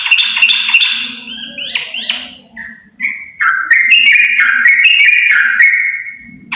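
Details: A pair of yellow-vented bulbuls singing energetically: bubbly, warbling phrases of rich whistled notes, some rising and falling, delivered rapidly at a mid-high pitch, with a faint low hum beneath.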